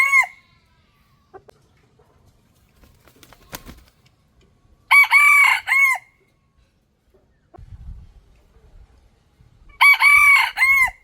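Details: Crowing of a wild Red Junglefowl rooster, ancestor of domestic chickens, recorded in calm surroundings; two full, ringing crows with wavering phrases, one near the middle and one at the close, plus a brief crow cut off at the start.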